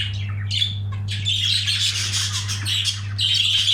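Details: Budgerigar heard while mating, giving a busy stream of scratchy chirps, squawks and warbled notes with brief pauses. A strong low electrical hum continues underneath.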